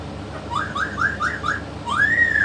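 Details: Yellow-naped amazon, a talking parrot shown with a parrot expert, gives five quick rising whistled slurs in a row, then one long clear whistle that climbs and levels off, over a faint low hum.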